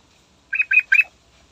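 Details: Morning song of a yellow-vented bulbul, used as a lure to make other birds sing. A loud, close phrase of three bubbly, slurred notes is delivered in about half a second.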